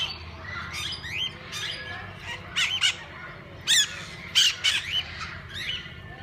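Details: Several kinds of parakeets in a walk-in aviary, where visitors can feed and hold them, give scattered chirps and sharp squawks, with loud harsh bursts coming every second or so in the latter half over a constant low rumble.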